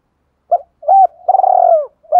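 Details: Fight-provoking call of a spotted dove, played to stir up a decoy bird: one short hoot, a two-part coo, then a long vibrating coo that slurs downward, with another note starting at the end.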